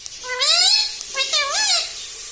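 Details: Indoor pet rose-ringed parakeet saying a two-part word resembling mummy: a drawn-out nasal rising syllable followed by a shorter wavering one, clear and close.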